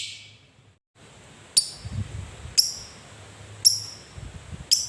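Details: Lovebird giving single sharp, high chips roughly once a second, short and clipped, with quiet low background rumble between them; heard alongside long chatter meant to coax reluctant lovebirds into singing.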